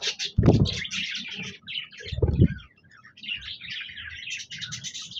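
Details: Budgerigars recorded 26 January 2024, a flock chattering in busy high twittering phrases, broken by two loud low thumps near the start and middle, the chirping running on steadily to the end.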